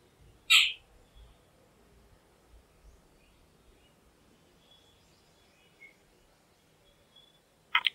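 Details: Jungle babbler, a noisy, gregarious resident bird of the Indian subcontinent, gives a loud, harsh, rasping squawk, then a long quiet pause before a second short scratchy burst, with faint background hiss between.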